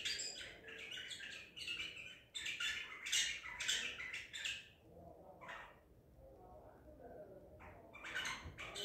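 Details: White-eared bulbul, Baghdadi type, caught and recorded 14 April 2021, gives loud squawky chirped phrases for about five seconds, then quieter scattered notes and a final burst, with faint background noise.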